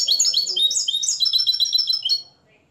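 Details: European goldfinch from Morocco, raised from the nest and schooled in limpio song: a dense, quick-fire sequence of sharp, high tinkling notes that ends abruptly after two seconds.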